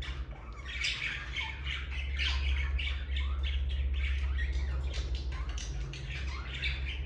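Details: Pet budgerigars in the morning: several birds chattering at once in a continuous stream of scratchy squawks, warbles and short chirps, over a steady low electrical hum.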